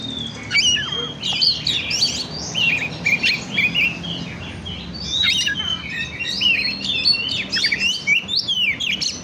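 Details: Oriental magpie-robin (kacer) song used as a lure to stimulate other birds: a rich, continuous run of varied high whistles, slurred rising and falling notes and chirps with barely a pause, over a faint low hum.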